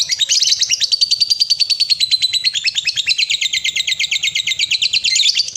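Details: Lovebird giving a long 'ngekek' trill, used to prompt other lovebirds to sing long trills: a rapid, continuous chatter of high buzzy notes held for over five seconds, dipping slightly in pitch midway.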